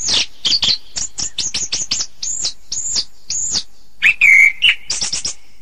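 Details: Orange-headed thrush masteran: crisp high notes and arched whistles in steady succession, then a loud, complex trilled whistle and a quick final twitter.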